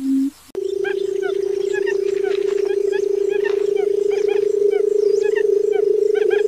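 A low, unbroken humming drone holds one steady pitch for about six seconds. Small birds chirp and twitter faintly above it.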